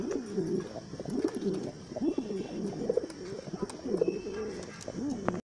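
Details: Modena pigeons, bronze-coloured and large, give low, rolling, throaty coos, several overlapping in a steady burbling stream, with faint background noise; farm in Comilla, Bangladesh; domestic pigeon (Columba livia domestica).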